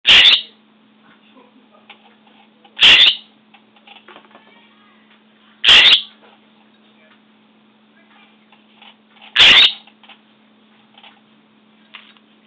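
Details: Scrub jay squawking: four loud, harsh, rasping squawks, each about half a second long, spaced roughly three seconds apart, over a steady low hum and faint clicks in between.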